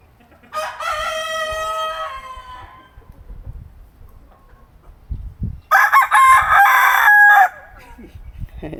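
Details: Padovana (Paduan) rooster, an Italian chicken breed, recorded 15 March 2026, giving two loud crows: a long harmonic cock-a-doodle-doo that holds then fades, a quiet pause with faint thumps, then a second harsher, buzzier crow.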